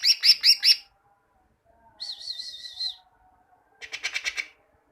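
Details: Greater green leafbird singing, a recording meant to train caged birds: a short loud burst of ringing notes, a wavering warbled whistle, then a quick series of sharp chirps, with pauses between.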